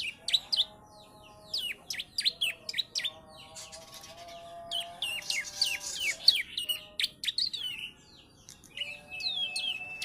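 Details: Juvenile Bar-winged prinia, three months old and filled with ciblek song, sings bursts of crisp falling chirps and rattling twitters, ending with a thin, level sustained whistle. A faint droning hum sits below.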